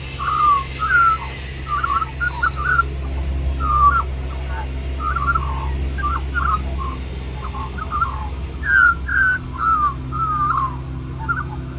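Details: Little magpie, one of a group at Cirillo Reserve, Middleton Grange, New South Wales, Australia, singing throughout while begging for mango; long run of warbled, fluty phrases with short gaps, low hum behind.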